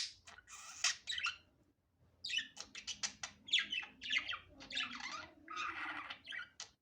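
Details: Unedited natural budgerigar chatter, softer and more distant: dense scratchy, squawking syllables in bursts, with a brief lull near the two-second mark and faint low background noise.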